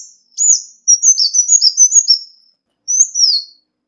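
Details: High-pitched call of a Ruby-cheeked sunbird used as a lure, a rapid string of sharp descending whistles followed by a pause and two more falling notes.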